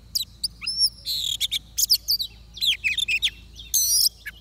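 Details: Song of an oriental magpie-robin during trapping: mixed high whistles, quick chirps and harsh buzzy bursts in irregular phrases, with a low steady hum underneath.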